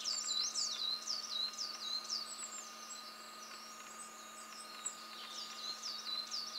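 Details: At Mount Fuji's fourth station, an olive-backed pipit sings a fast, high, continuous run of thin sweeping and trilled notes, about four per second, over a steady low mechanical hum.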